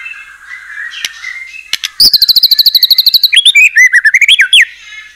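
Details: White-rumped shama song meant to provoke other shamas into singing: faint low notes, then a loud rapid trill of repeated high notes, giving way to varied swooping whistles.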